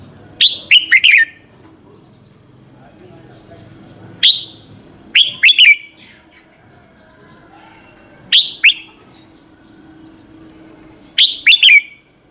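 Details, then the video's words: Red-whiskered bulbul morning song, used as a lure to call and stir other birds; short bursts of sharp, bright chirps falling from high to mid pitch, in clusters of two or three roughly every three to four seconds. "luyện giọng chào mào hót buổi sáng, Hót hay nhanh lửa"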